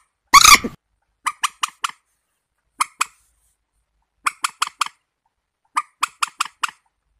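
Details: After one loud harsh squawk, a warbler delivers spaced groups of three or four dry, chattering notes every second or so in quiet surroundings.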